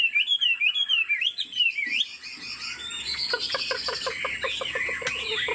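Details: Cage-kept Chinese Hwamei, said to be 90% pure, singing with head bobbing: clear, wavering whistled phrases that rise and dip, followed by quieter high warbling over a rapid series of clicking taps.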